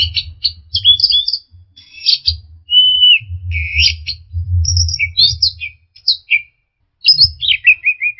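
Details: Orange-headed thrush lure song for stressed birds that quit singing: choppy high whistled notes and buzzy fragments, one flat sustained whistle, then a falling series of short notes at the end, with low background rumble.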